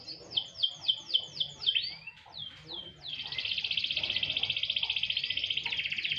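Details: Canary briefly sunbathed, singing a string of sharp descending high notes, a few separate swooping calls, then a long dense rattling trill held steadily to the end.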